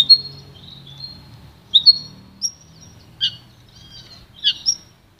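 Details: Pintagol (goldfinch crossed with canary) offering scattered high tweets and short trills in uneven bursts, some doubled, with quiet stretches and faint low hum behind.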